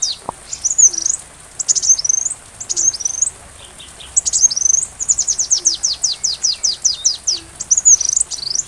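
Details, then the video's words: Sunbird singing with rain behind, recorded to teach a white-rumped shama: short hooked high whistles repeated in phrases, then a rapid series of descending ticking notes. "Masteran Rajanya Isian Kolibri"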